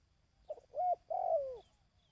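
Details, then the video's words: Single dove phrase for training decoy birds, 2024: a soft low note, a short arched hoot, then a long smooth coo dropping in pitch at its close. "Tiếng Chim Cu|Kích Bổi ( Tập Mồi )"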